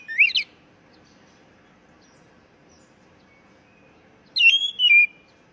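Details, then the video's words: Oriental magpie-robin call, played to coax a stressed, newly caught bird that has stopped singing back into song: a sharp rising whistled note, then after four seconds of quiet a longer burst of slurred, descending whistles. "panggilan kacer bahan stress macet bunyi"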